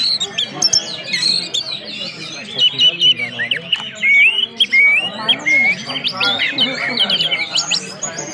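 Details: Ngeplong-style song of an orange-headed thrush mixed with whistling: a long, varied stream of clear upslurred and downslurred whistles, rapid chatters and piercing squeaky notes, steady and loud for over eight seconds.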